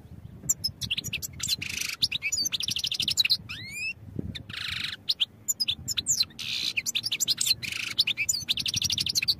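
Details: Continuous European goldfinch song for training, mixing fast repeated trilled notes, rising slurred whistles and wheezy buzzes in a busy, jangling flow with hardly any pause.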